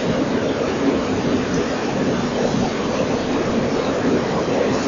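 Steady broadband rumbling noise, like distant traffic or machinery, runs throughout with no animal calls.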